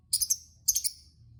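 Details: Lovebird giving two quick clusters of sharp, shrill, high chirps, each with three stacked pulses, meant to draw other lovebirds into singing.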